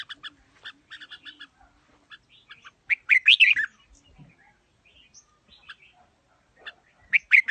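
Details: Red-whiskered bulbul with a wild-sounding voice: a string of quick paired chips, then a bright cascade of loud warbling whistles, softer notes, and another strong whistled burst at the end.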